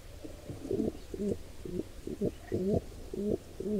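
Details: Wild pigeons at a nest during an attack on a squab by an intruder pair: short, low, throaty coo notes in a fairly steady series, roughly two per second, over soft background hiss.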